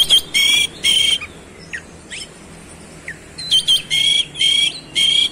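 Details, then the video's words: Oriental magpie-robin in fast rolling song, showing its fillers: loud harsh buzzy notes, each with a clear whistled tone inside, thin falling whistles in a softer middle section, then five more buzzy bursts in steady rhythm. "KACER SUPER GACOR ROLL SPEED BONGKAR ISIAN"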